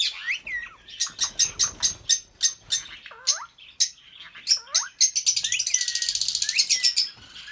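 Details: Pair of red-eyed albino lovebirds singing and chirping: sharp high chips repeated about four per second, swooping descending whistles, then a fast continuous trilled chatter.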